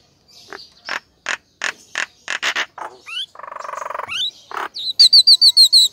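A Nias hill myna gives loud, harsh bursts and rising whistles, then a buzzy rattle and a fast run of high, piercing whistled notes.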